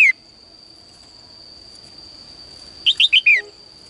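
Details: Female bird singing in a cage in the morning, calling males to sing more: the tail of one note at the start, then near the end a four-note chirped phrase ending in a falling slur; steady high tone between.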